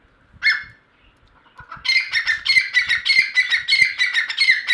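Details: One sharp note, then a grey francolin launches into fast, loud, harsh repeated phrases, building into a steady chattering rhythm.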